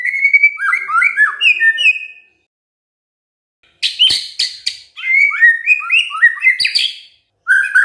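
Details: Singing white-rumped shama: rapid strings of varied whistled notes, a silent gap of about two seconds, then sharp clicks and more fast slurred whistles, lively and melodious.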